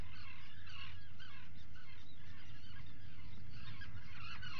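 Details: Atlantic puffins at breakfast inside a burrow, filmed by a burrow camera at 04:58 on 28 June 2019; short harmonic nasal calls come in scattered bursts over a steady low rumble.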